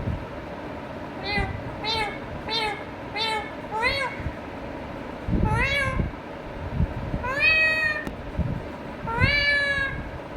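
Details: Talking Indian ringneck parakeet in a string of short, rising, nasal syllables repeated about every second, then longer drawn, wavering phrases with a faint background hum.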